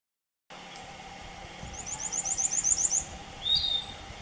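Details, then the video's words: A single Piratic flycatcher vocalizing at Puerto Paraíso, Misiones, in September 2015: a rapid series of about nine thin, very high notes, then one drawn-out whistle, over steady background hum. "Tuquito chico (Legatus leucophaius): VOZ"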